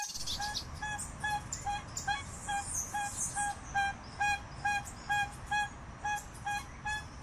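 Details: Crested guan repeating short clear honks at a steady pace, a little over two per second, with faint high twittering of small birds in the background.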